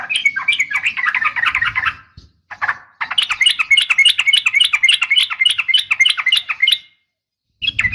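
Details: Female sooty-headed bulbul giving morning calls to attract males: dense, fast runs of bright chirping notes with a brief gap, then a longer even series of rising-falling chirps, faint low rumble beneath.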